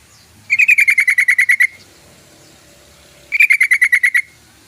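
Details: Yellow-vented bulbul giving two bursts of rapid, evenly spaced chattering notes, about ten notes each, lasting around a second, separated by a pause of nearly two seconds.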